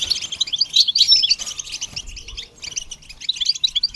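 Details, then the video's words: Goldfinch song from a bird being trained to sing: quick bursts of high, tinkling chirps and twitters, a brief lull in the middle, then another rapid run of bright notes. "The basics of training the goldfinch to sing"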